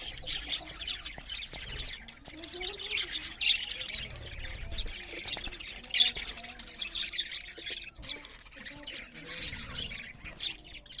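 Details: Budgerigars chirp loudly while eating, a long stretch of overlapping high chatter with rough squawky notes and occasional sharper peaks, plus low bumps in the background.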